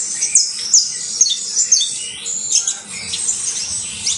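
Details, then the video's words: Saffron finch (canario basto criollo) singing steady high chirps and short slurred notes about once a second over a faint background hum. "UN CANTO INCREIBLE DE CANARIO BASTO CRIOLLO"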